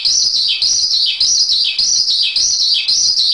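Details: Javan pied starling masteran song: a high chattering phrase ending in a downward slur, repeated about every half second in a steady rhythm.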